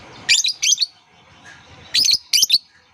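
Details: Lovebird chirping, played to lure other lovebirds into calling and to teach young birds learning to sing; two pairs of shrill, high, sharply broken chirps, with a pause of over a second between the pairs.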